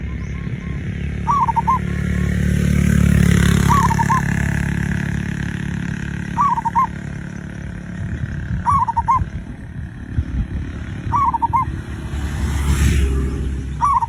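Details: Cooing phrases of a zebra dove, played as a lure recording to prompt other birds to sing, recurring roughly every two and a half seconds as brief rolling bursts against heavy low-pitched rumble and hiss.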